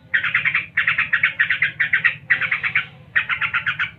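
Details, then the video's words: Rapid ngebren song of a yellow-vented bulbul, a near-continuous roll of bright chattering notes in bursts of five to seven, broken by two short breaks, over a soft low hum. "Tembakan SUPER, Trucuk ngebren (gacor)"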